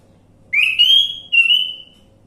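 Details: Orange-headed thrush lure recording: two long, bright whistled notes, the first rising and wavering, the second steady and slightly lower, over a faint hum.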